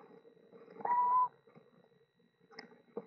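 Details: Eastern Screech Owl calling inside a Florida nest box that holds a mother and four young owlets. A single flat, even-pitched tone lasts under half a second over faint rustling and a low background hum, followed by a few light taps.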